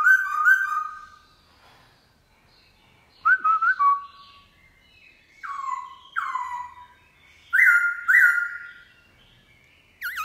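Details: Newly wild-caught black-throated laughingthrush, kept as a cage bird, singing its forest-style song in the morning: loud clear whistled phrases with looping and dropping notes, separated by short pauses, over quiet background.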